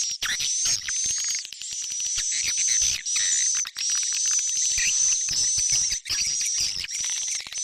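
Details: Swiftlet lure call of the Tarik Onar style used by swiftlet farmers: long runs of fast, buzzy twittering broken by brief pauses every second or so, over a steady shrill whistle.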